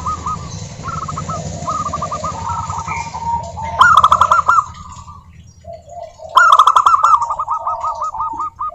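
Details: Several local wild-type zebra doves sing, used to lure other doves into singing: soft overlapping trilled coo series at first, then two loud bursts of quick staccato cooing, each ending in a rolled, slurred note.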